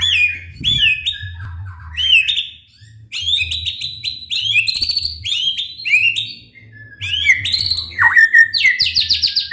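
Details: White-rumped shama song used to provoke other shamas into singing: loud, varied phrases of whistled, sweeping notes and rapid chirps, broken by brief pauses, with a faint low hum beneath.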